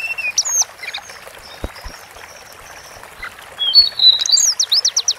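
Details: Sunda forktail training song: a few thin high whistles and a long level note, a soft lull, then a quick series of sharp ticking notes, about eight of them, near the end.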